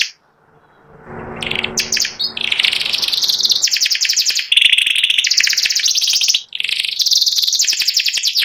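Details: Caged white panda canary, symmetrically patterned and ready for contest, in ngeriwik song: after a quiet start with a low hum, scattered chirps build into long rolling high trills broken by brief pauses.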